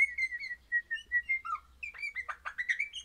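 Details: A happy pet crimson rosella of orange colouring sings a run of bright, evenly spaced whistles, then breaks into quicker, varied chattering and warbled notes toward the end.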